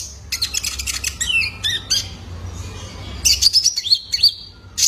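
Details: Young male Van Hasselt's sunbird, recorded as a lure for caged birds: a quick high chatter with slurred notes, a pause, then a bright burst of rising chirps.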